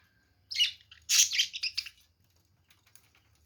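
Budgerigar giving a quick burst of high, scratchy chirps and warbles lasting about a second and a half.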